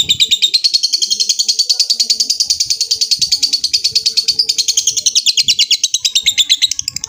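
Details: Lovebird in a long trill, calling a rival: a rapid, sustained run of sharp high chirps repeated about three times a second, holding steady for seven seconds with slight wavering in pitch.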